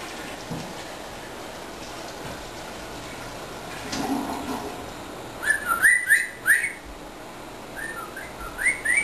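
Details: A 14-year-old female pet African grey parrot, grumpy during her morning routine indoors, gives a quick run of short rising whistles, then a softer second burst a moment later, over a quiet room hum.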